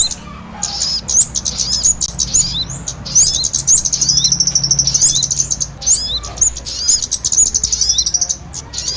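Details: Small birds in a trapping lure combining two kinds: continuous, very high twittering with quick rising squeaks and trilled chirp runs from several overlapping callers, background low hum.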